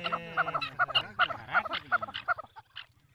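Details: Village partridges calling during a fight: a rapid series of harsh, nasal, double-noted calls with sliding tones, irregular and fading toward the end.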